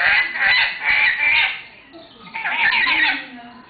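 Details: Pair of lories in Weltvogelpark Walsrode in August 2011, apparently in love: harsh, screechy calls, bursts of grating shrieks about every half second, with two nasal voices squawking together.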